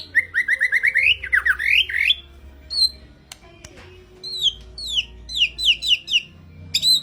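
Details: Vigorous white-rumped shama song used as a training lure and master for other songbirds: a run of rising whistled notes, then varied descending and sliding whistles in rhythmic series, loud and clear over a low background hum.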